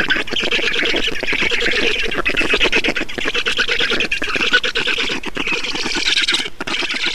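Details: Nest of black storks in Estonia at feeding time, 6 June 2019: steady raspy, buzzing chatter made of quick repeated pulses, persisting across the whole stretch, with a brief dip near the end.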